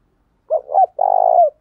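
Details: Spotted dove decoy cooing to provoke wild males: two short, low, hollow coos followed by a longer, steady, purring croo, all in one deep phrase lasting about a second.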